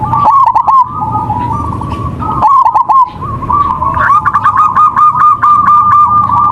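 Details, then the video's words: Local zebra dove (perkutut) singing actively, used as a master lure recording to trigger singing: a steady stream of soft cooing notes with a few brief pauses, over low rumbling background noise. "Suara MASTERAN perkutut lokal gacor"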